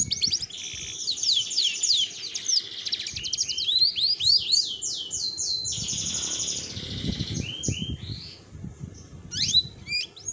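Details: Female pet canary singing a ngerol roll: rapid high buzzy trills flowing into repeated curved whistled notes, then a pause and a few sharp chirps at the end, with low background noise.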